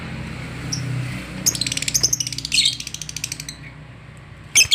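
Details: Caged lovebird agitated on meeting another lovebird: a quiet start, then a burst of shrill, high chirps and squawks close together, and a final sharp squeak burst at the end. A low hum runs underneath.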